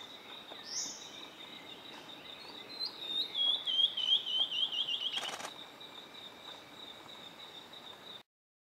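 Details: A Tawny-throated Leaftosser (Sclerurus macconnelli) in northeast Brazil in October 2016 gives a quick series of about ten sharp, squeaky whistled notes that fall slightly in pitch, over a steady high insect drone.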